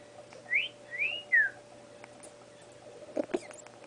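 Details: A 5-month-old female pet Congo African grey parrot, not yet talking, practises sounds and whistles: three clear whistled notes, rising, then arching, then falling, followed by a couple of soft clicks.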